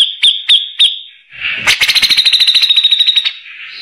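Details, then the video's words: Grey-cheeked bulbul, tutor song for white-rumped shamas: three sharp high whistled notes, a brief pause, then a harsh rasp leading into a fast rattling trill of high notes. "CUCAK JENGGOT UNTUK MASTERAN"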